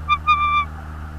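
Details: Bald eagle at a nest in Northeast Florida in January 2022: a short whistled chirp followed at once by a longer level piping note that fades, above a faint low hum.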